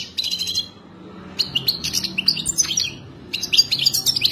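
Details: A Moroccan European goldfinch sings a fast, tinkling run of bright twitters and liquid trills, in three bursts separated by brief pauses.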